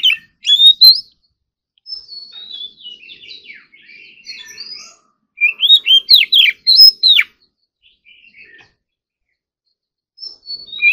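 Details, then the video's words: Oriental magpie-robin practising its competition song in the morning: loud whistled sweeps open the clip, then a quieter chattering passage, then a fresh burst of sharp descending whistles and a final short phrase. "Kacer Gacor Full Isian Tembakan Mewah || choè than hót đấu"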